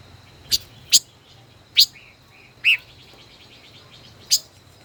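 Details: Caged decoy five-colored bird, held more than a year, in a singing duel: sudden high metallic chips at irregular intervals, a short warbled phrase near the middle, quiet background.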